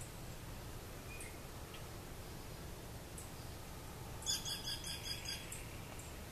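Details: An Altamira oriole feeding on an orange in Cameron or Starr County, Texas, in February gives a single quick burst of about eight high, chattering notes lasting just over a second, over a low steady rumble.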